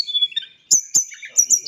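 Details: White-flanked sunbird, tame and in full voice, gives chattering song made of thin high whistled notes that slide downward, sharp clicking chips and short twittered phrases.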